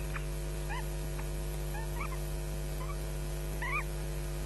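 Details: Nestling ospreys at Loch Garten on a May 2012 morning, squabbling and crying for breakfast while a parent looks on; thin, bent squeals in quick clusters, one strong upward-sweeping cry near the end, all over a constant low camera hum.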